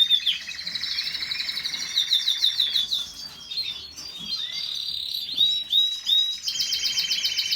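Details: Canary singing with dense high warbles, rapid trills and buzzy rolled phrases, ending in a fast repeated chattering trill; no other clear sounds.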